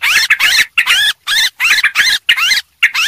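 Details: Lure call of a yellow-vented bulbul, rowdy type: a handful of separate chattering bursts, each a cluster of bright warbled notes, with short silences between them.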